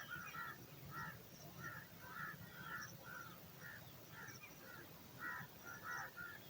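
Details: Hungry eagle chick in the nest waiting for dinner: short harsh, slightly buzzy begging notes repeated irregularly, often in quick pairs, over a steady low rumble of background noise.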